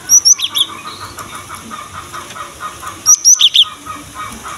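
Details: Cinereous tit singing strongly, played to coax young birds of the same kind into song: two quick phrases of piercing high whistles dropping to lower notes, about three seconds apart, faint rustling between.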